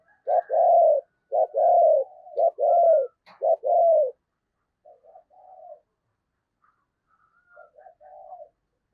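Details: Decoy spotted dove giving urgent cooing to draw wild doves at Tet time. Five loud, low, rounded coos come in quick succession, then a pause and a few softer, quieter coos trailing off.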